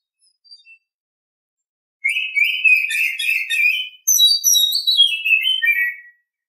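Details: In the morning an Oriental Magpie-Robin delivers two phrases: first dense scratchy chattering notes, then, after a brief gap, clear high whistles tumbling down into softer warbles.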